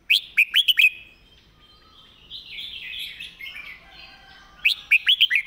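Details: Red-whiskered bulbul singing a master song with quick, repeated phrasing. The same phrase of four to five loud, crisp whistles opens and ends the stretch, with soft warbling between.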